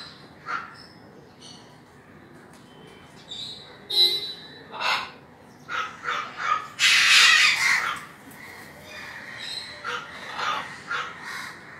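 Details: ['Sulphur-crested cockatoo with scattered short squawks and clicks, building to one long, loud, harsh screech of about a second, then softer chattering squawks.']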